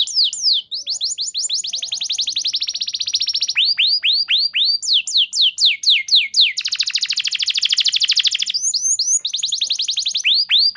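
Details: Training lure song of a canary: long continuous run of rapid trills, descending whistled notes alternating with dense buzzy rolls, sung without pause.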